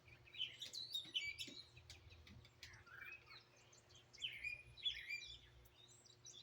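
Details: Wild birds chirping and singing outdoors in Greenville, South Carolina, in 2023, recorded raw on a phone. Several high twittering phrases and short swept notes overlap, with a low steady hum beneath.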